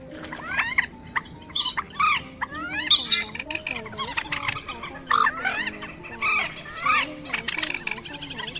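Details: A crake (quốc biển) lure recording made to draw birds into nets: busy, overlapping sharp rising and falling squeals and chattering notes in quick bursts, several birds at once, over a low steady tonal hum.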